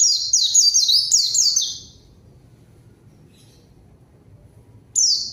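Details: Lure song of a lively white-eye calling a rival for a young bird to answer: a roughly 1.8-second run of thin, high, falling notes, a long silence, then the start of another run.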